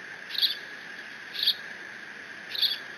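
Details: Bald eagle eaglet at the Decorah nest, alone on 30 June 2017 after its father delivers a fish, squeeing while mantling the catch; three short, high, sharp squeaky notes about a second apart over a steady background hum.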